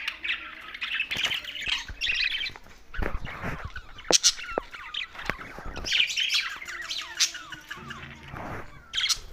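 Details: Budgerigars chirping and squawking, several birds in a busy mix of scratchy chatter, short sharp chirps and clicks, with a low droning hum near the end.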